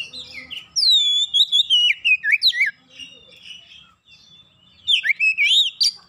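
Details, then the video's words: Oriental magpie-robin singing as a lure to make birds sing: a long, loud phrase of descending whistles and quick slurs, quieter chatter in the middle, then another energetic whistled burst. "PANCINGAN KACER mudah cepat gacor"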